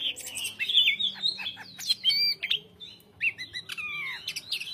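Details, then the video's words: Chattering greater green leafbird song: fast whistled phrases, bright descending slurs and buzzy notes packed closely together, with brief gaps and sharp ticks, from a caged singing bird. "KICAU CUCAK HIJAU GACOR JEDA RAPAT MATERI MANTAP"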